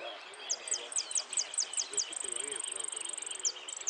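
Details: At a Lanús singing competition, a goldfinch of the 'amarillo de repique' class gives evenly spaced high falling notes, then a long rapid buzzing trill, then a few more falling notes, over faint voices.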